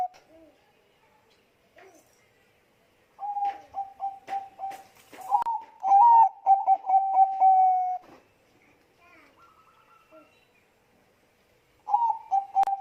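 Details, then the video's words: Bangkok zebra dove cooing as a lure for other doves: after near silence, a burst of short coos and one louder rising phrase with fast clipped notes, then quiet, and a last loud coo near the end. "suara pancingan perkutut bangkok gacor."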